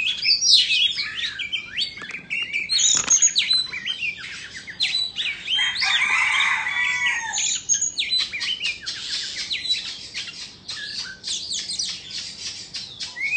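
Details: Indonesian white-rumped shama singing and dancing with tail fanned; long, fast-paced performance of crisp clicks, sharp whistled sweeps and a warbled jumble midway, with a brief thump early on.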